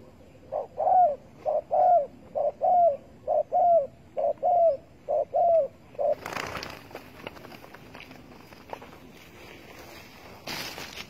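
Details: Spotted dove by a bird trap with bare bait, recorded 15 August 2020: a brisk run of paired coos, short then longer and falling, for six seconds, then rustling and handling noise.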